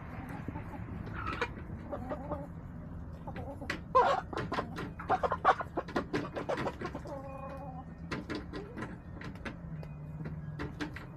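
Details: Backyard chickens filmed on March 24, 2024: hens cluck in a busy run of short, harmonic notes, including a drawn-out, wavering cackle near the middle, over a constant low hum.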